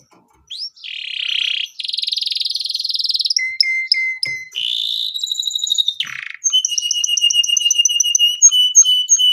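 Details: Gacor canary in long song suited to mastering: a rising sweep into a buzzy roll, flat whistles, then a long run of rapid repeated chirping notes.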